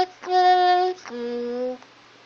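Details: A talking myna's "What did you do?" phrase, slowed and drawn out into two long, steady vocal tones, the second lower than the first, with a faint hum behind.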